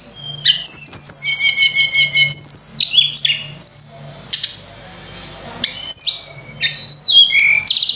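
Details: Song of a Sunda robin with lavish fill-ins, used as a lure for training birds: buzzy stuttered notes and thin high whistles, a quieter pause in the middle, then renewed sharp whistled phrases.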